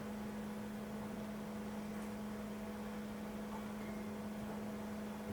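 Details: Steady low electrical hum over faint background hiss, with no animal sounds.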